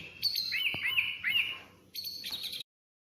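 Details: Oriental magpie-robin (kacer) song: a string of sweet looping whistled notes followed by a short high scratchy chatter, ending abruptly into silence.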